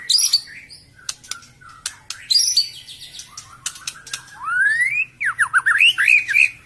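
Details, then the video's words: White-rumped shama singing on a lure recording meant to prompt a silent bird after moult: clicks and short notes, then a clear whistle rising steadily, followed by rapid looping whistled phrases. "suara burung murai batu ,pancingan murai batu males bunyi, macet, beres mabung"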